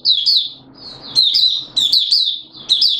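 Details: Malaysian Oriental white-eye (mata puteh) in open 'buka' song, Singapore, 29 March 2023: short high twittered phrases with bright upslurred notes, repeated about every half second over a soft low background hum.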